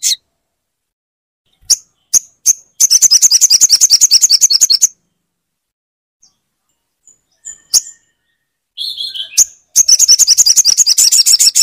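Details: Crimson sunbird singing to prompt a quiet bird into song; a few sharp high chips lead into rapid buzzy trills, a pause with scattered notes and a softer chatter, then another fast high trill.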